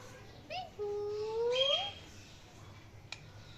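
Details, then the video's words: Indian ringneck parrot speaking in an indoor room: a short syllable, then a drawn-out, voice-like rising phrase, followed by one faint click. "Indian Ringneck Parrot Talking and Chirping Sounds"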